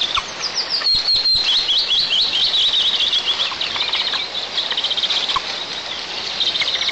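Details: On 1 July 2024 at a nest in southeastern Tatarstan, an eagle gives rapid high chirps and a quick wavering whistled series after the father arrives with a live ground squirrel; scuffling and soft knocks below.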